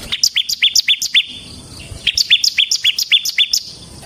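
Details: Lively bar-winged prinia (ciblek) song used to lure and train ciblek birds: two fast runs of bright, two-part chipping notes, roughly four per second, separated by a short silent gap.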